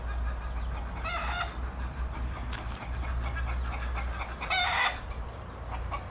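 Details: A rooster in a Grand Cayman backyard kept with hens gives two short, harsh, harmonic crowing bursts about three seconds apart, communicating, over a steady low rumble of wind or machinery.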